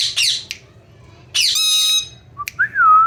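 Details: Ringneck parrot talking "mithu mithu": a harsh squawk, a long buzzy note over a held whistled tone, then a clear whistled note that rises and slowly falls, indoors.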